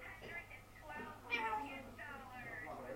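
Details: Parrot talking and shouting imitated words like "hello" and "Bye Bye": short speech-like syllables with stacked harmonics, one higher, louder squawk partway through, over a constant low electrical hum.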